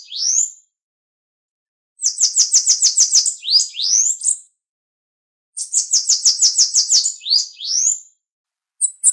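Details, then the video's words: Bananaquit (Coereba flaveola) song used to stimulate other bananaquits: high, thin, buzzy phrases of about ten rapid stuttering notes with a few upslurred squeaks, repeated after short pauses. No other sounds are heard. "CANTO PARA ESQUENTAR SIBITE, CAMBACICA, CAGA SEBO"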